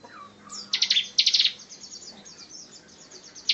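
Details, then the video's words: Bar-winged prinia giving a rapid-fire burst of high, sharp notes in two quick volleys, then softer trailing chips; a dense rapid song suited as tutor material for other songbirds. "Ciblek tembakan rapat cocok buat isian"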